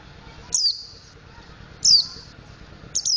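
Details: Young mountain white-eye practising ngriwik and ngeplong song: three high, sharp notes sliding downward, each trailing into a brief thin buzz, roughly one every 1.2 seconds, with a low background hum.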